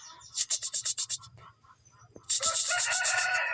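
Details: Young Greater green leafbird of the Kuningan type learning the loud ngeplong song: a fast run of about eight sharp, high chirps, a short pause, then a dense, shrill, continuous twittering burst.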